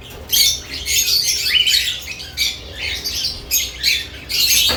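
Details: Shrill, squawky chatter from lovebirds at their new nest boxes, coming in repeated loud bursts with short pauses, in what sounds like a small room.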